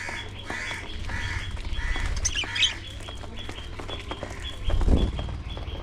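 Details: Budgerigars (Melopsittacus undulatus) in an aviary breeding colony chatter together in a busy flock, with scratchy warbles and chirps over a low rumble.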